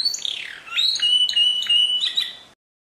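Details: Canary song of high slurred whistles and a long flat tone with short chirps over it, stopping abruptly into silence.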